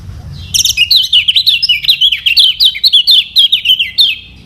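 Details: Lombok's yellow kecial, the lemon-bellied white-eye, in a lure recording for birds learning to sing: a lively, continuous high warble of quick slurred rising-and-falling notes lasting about four seconds.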